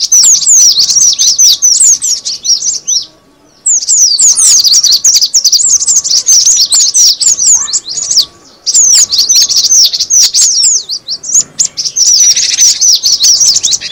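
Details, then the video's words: Long run of cinereous tit lure calls: shrill, falling chirps in thick overlapping sequences, separated by two brief silences, with a faint hum throughout. "suara pikat burung gelatik batu"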